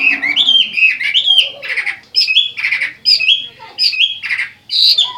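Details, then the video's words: Chinese hwamei singing loud, varied phrases of ringing whistles mixed with harsher, buzzy rasping notes. The phrases come in bursts separated by brief pauses. "chim hoa mi hot"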